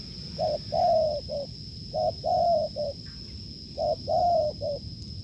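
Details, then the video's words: Cooing strongly during a decoy test, a wild spotted dove gives three repeated low phrases about every 1.6 seconds. Each has a short note, a longer falling coo and a clipped final note, with a steady high whine behind. "đụng bổi đồng gù cứng,gù lợi cốt quá phê"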